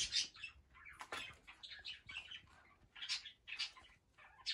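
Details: Big baby cockatiels, young males, give a run of high, raspy chirps and squeaky notes in quick clusters, with brief quiet gaps and a faint rustle underneath.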